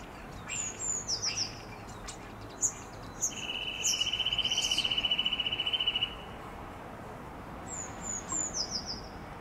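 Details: Eurasian nuthatch with a fast, even trill of rapid notes lasting about three seconds, mid-high in pitch, while thin, high descending whistles come from another bird before and after.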